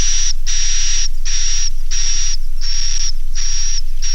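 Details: Edible-nest swiftlet call used by swiftlet farmers to make young swiftlets roost, 'Naga Mas' type: quick series of about seven hissing, buzzy notes with a thin whistled line, rhythmically broken by short silences.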